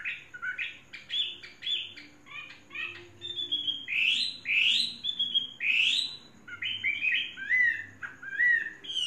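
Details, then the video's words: Tame, faultless Chinese hwamei kept for three seasons, singing a lively run of varied whistled phrases: short rapid notes, then loud slurred swoops and rising-falling whistles, with brief pauses between bursts. "Hoa mi hót cực hay"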